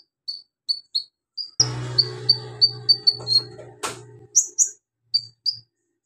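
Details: Javan magpie-robin singing ngobra with copied golden grasshopper, lovebird, cricket and cililin phrases: spaced high whistles, then a series of clear descending chirps over a low hum and one sharp clatter.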